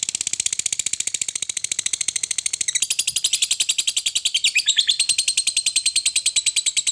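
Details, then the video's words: Fighter lovebird in long ngekek chattering, meant to provoke rival lovebirds into song: dense, fast, grating notes repeated over three times a second, steady and unbroken for the full seven seconds. "Lovebird fighter ngekek panjang sekali bunyi bikin Labet Lain emosi dan ikut bunyi"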